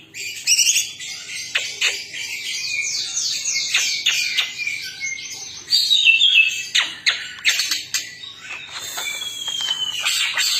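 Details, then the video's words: Chatty greater green leafbirds, twelve singing together: dense high twittering with series of quick downslurred whistles, sharp clicking notes and a long thin whistle near the end, all overlapping. "12 BURUNG CUCAK IJO 🐦🐦🐦 CEREWET DAN GACOR"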